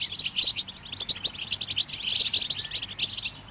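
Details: Lively, high goldfinch song used to get other birds singing, a rapid stream of sparkling chirps and little trills pulsing in quick clusters.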